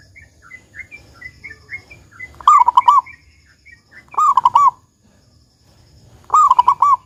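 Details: Local zebra dove song in the big 'kung' style, used to lure other zebra doves into singing: faint twittering from other birds at first, then three loud, stuttering, rolled coo phrases roughly every two seconds.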